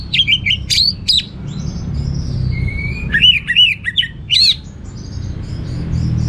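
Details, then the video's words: Orange-headed thrush in loud teler-style song with varied material. Sharp chirps and looping whistles alternate with a thin drawn-out whistle and quick clusters of clear notes, over steady low background noise. "Suara Gacor Burung Anis Merah Teler Materi Melimpah"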